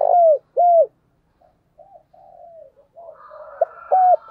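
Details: Decoy spotted dove calling vigorously in the morning ('thúc bổi'): two loud downcurved coos, then soft low cooing, ending with sharp notes and another bent coo.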